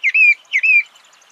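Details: Thrush (sabiá) song: two clear whistled phrases, each a short slurred note followed by a sustained, slightly falling whistle, repeated about half a second apart with little background sound.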